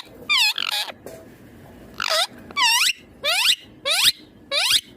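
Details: Ringneck green parrot giving harsh, shrill screeches that sweep up and then down. They come singly or in quick pairs, about eight in five seconds, with a faint low background between calls.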